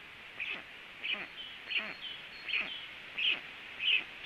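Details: A black stork landing at the nest, with two storks in view: six rasping, squeaky notes about every two-thirds of a second, growing slightly louder toward the end over a faint steady hiss.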